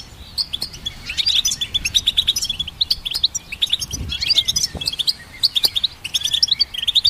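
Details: Goldfinch song: rapid, tinkling twitter of short high notes in quick bursts, with brief pauses between phrases and a faint low rumble beneath.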